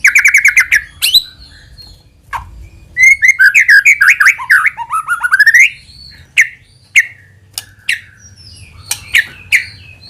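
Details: Lure song of a white-rumped shama meant to draw other shamas into singing: a quick note burst, then a dense run of rising warbled trills, followed by spaced sharp chips roughly three per second.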